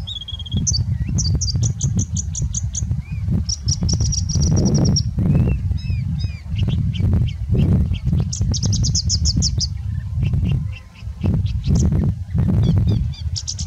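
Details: Singing bushlark singing with much mimicry: a varied medley of high notes, including level trills, rapid repeated chips and short looping whistles, continuous over a strong low wind rumble with occasional thumps.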